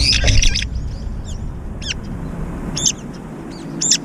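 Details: Brown-eared bulbuls fight in aerial chases while feeding, each trying to keep the food to itself. They give harsh, shrill squealing notes, first a noisy burst, then scattered sharp calls every second or so, over a low rumble.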